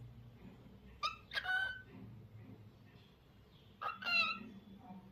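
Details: Lutino cockatiel producing two bursts of harsh, harmonic-rich calls about three seconds apart, each a quick pair of notes, over a quiet background hum.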